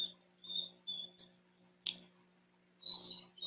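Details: Fledgling Bald Eagle, an 88-day-old male in South Florida, Dade County, June, calling for his brother from a distant tree near the nest: a few short high whistled notes with sharp clicks between them.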